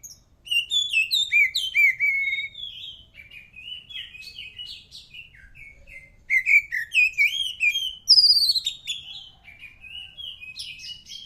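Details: White-rumped shama in full song, a long varied run of whistled, looping and trilled phrases with bursts of rapid high notes and short pauses between loud passages; faint low hum behind.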